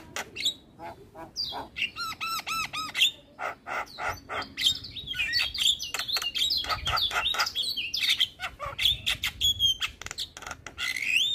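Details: Male Javan myna singing in energetic 'gacor' style with head bobbing: a rapid run of stacked whistled chirps, then a long varied stream of clicks, squeaks and warbled whistles with few gaps.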